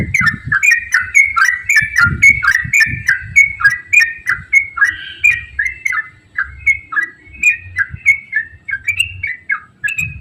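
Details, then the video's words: Energetic yellow-vented bulbul 'ropel' song, used to draw other bulbuls into singing: a continuous string of quick, bouncing whistled notes rising and falling in pitch, with light low background noise. "KICAU TRUCUKAN GACOR ROPEL AMPUH UNTUK PANCINGAN TRUCUK AGAR AKTIF BUNYI DAN GACOR"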